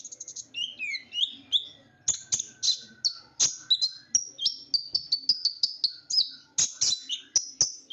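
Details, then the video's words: Tiny sunbird called kolibri ninja, its blue, black and gold feathers likened to a ninja's uniform, singing energetically; high, piercing chirps run into a fast series of short whistled notes and buzzy trills. "suara burung kolibri gacor"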